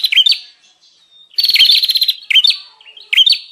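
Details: Bar-winged prinia lure sound: separate clusters of sharp dipping chips and one burst of buzzy rattling, with quiet gaps between the phrases.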